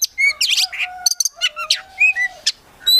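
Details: Gacor Oriental magpie-robin from a collection, full of isian, mixing thin pure whistles, low drawn notes and scratchy squeaky bursts in a busy, varied phrase.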